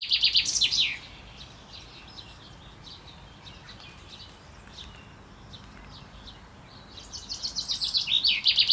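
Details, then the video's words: Male common chaffinch singing during courtship, recorded 28 May 2024: a bright descending strophe opens, then near-quiet with faint background chirps, before another accelerating rattle of high notes begins at the end. "Buchfink Gesang singt zwitschert"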